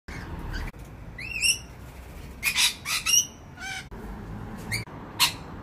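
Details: In the morning, lorikeets give a few rising, squeaky notes, then a burst of harsh, shrill screeches and a last sharp shriek, over a steady background hiss.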